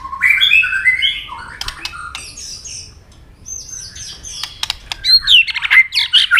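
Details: White-rumped shama fighting song with tail clicks: rich warbled phrases, a run of clicks, then a loud burst of rapid high whistled notes.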